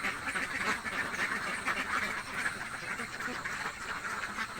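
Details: A flock of hungry village ducks quacking together in a dense, overlapping chatter of nasal calls that never pauses.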